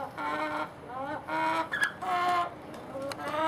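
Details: Hen giving an odd call of unknown cause, with repeated wavering harmonic notes, some bending upward, mixed with a few sharp clicks and steady background noise.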